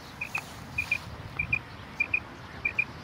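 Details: Singing common quail giving paired sharp whistled notes, the couplet repeated roughly every 0.6 seconds, five times over, against quiet rural background noise.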